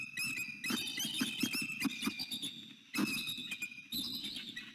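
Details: A mated Bald eagle pair calls at their Florida nest at dawn on 6 November 2019: high, thin chittering bursts as the male arrives and the female greets him loudly, then they mate.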